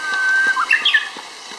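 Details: Japanese bush warbler in spring, just beginning to sing for the season, filmed with an SLT-A55V camera. A long, steady whistled note is followed by a quick, rising, warbled flourish. A person starts talking right afterwards.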